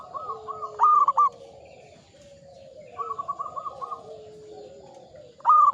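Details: Perkutut, or zebra dove, of a local strain, singing manggung: short phrases of quick, bubbling coos separated by pauses, set against quieter, lower cooing from other doves.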